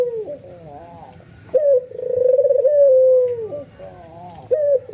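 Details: Albino white ringneck dove in an excited, emotional calling bout: sharp opening note, fast pulsing trill into a long flat coo that drops at the end, with quieter coos from other doves between loud phrases.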